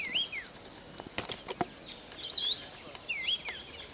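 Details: Bird singing in sugarcane at Bulechia, Western Kenya, December 2011: looping whistled notes rising and falling, in short bursts separated by pauses, set against a continuous high-pitched insect chorus and a few soft knocks.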